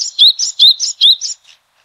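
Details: Yellow-bellied tit (Pardaliparus venustulus), a species endemic to southeastern China and a rare vagrant in Taiwan, gives a quick series of high, thin notes, alternating sharp upper chips with lower whistled slurs, about five pairs in just over a second.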